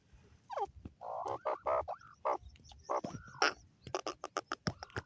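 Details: Grey francolin, called teetar: loud, harsh, ringing notes in a fast series, some sliding upward, then a burst of short clipped notes toward the end, with faint chirps between.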